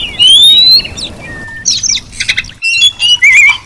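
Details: Female Oriental magpie-robin whistling to lure and provoke a male: one bright rising whistle and a short flat note, then a burst of scratchy, chattering high notes and a final wavering whistle.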